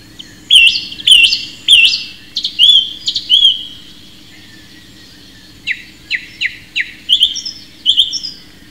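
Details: Song thrush singing clear, whistled phrases, each repeated several times: a looping note given about five times in quick succession, then after a pause a sharp, rising chip-like phrase repeated four or five times.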